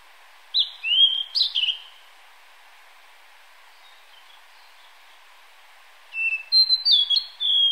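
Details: A male Blue-and-white flycatcher (Cyanoptila cyanomelana cyanomelana), singing from a cedar top on 24 May 2014, gives two short phrases of clear, fluty whistles that slide down and then up, ending in a brisk jumble, over faint stream water.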